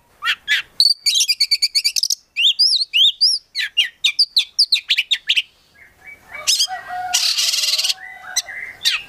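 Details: Captive prospect kacer (Oriental magpie-robin) singing gacor with full isian: rapid trilled buzzy runs and looping whistles, then harsher scratchy, rasping notes and broad noisy bursts toward the end.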